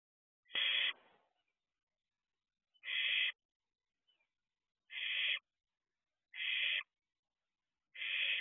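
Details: Young barn owl in an owl box before dawn in June. Five harsh, noisy hisses about half a second long, roughly every one and a half seconds, the first ending in a trailing rasp.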